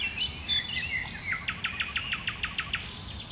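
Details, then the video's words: Common nightingale singing in bushes: a varied warbling phrase that gives way to a fast run of about ten clipped, evenly spaced notes, with a faint low rumble underneath. "Słowik Rdzawy w krzakach sobie śpiewa"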